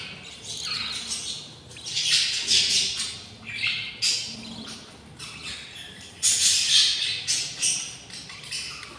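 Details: Six hungry budgerigar chicks in the nest, day 20, give harsh, breathy begging rasps in irregular clusters. The loudest bursts come near the start and again toward the end.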